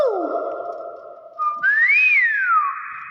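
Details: A pet Nias hill myna, prompted by its owner to say "Assalamualaikum", gives a hoarse, speech-like note, then one loud, clear whistle that swoops up and slides back down.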